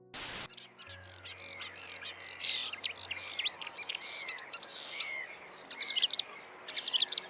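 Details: Reed warbler singing in thick reeds near quiet water; a very fast, improvised-sounding stream of high chattering notes, clicks and short whistles changing constantly, opening with a brief loud burst of noise and a faint low hum.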